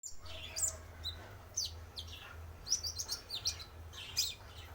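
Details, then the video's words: Male spotted konin sunbird used as a lure: short, high, sharp chirps and squeaky notes in scattered bursts, faint against a low steady hum. "Pancingan Suara Burung Konin Trotol Jantan"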